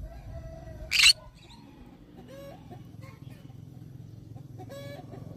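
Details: Green-cheeked conure calling: one sharp, harsh, broadband screech about a second in, followed by softer chattering notes and short squeaks, with a steady low hum underneath.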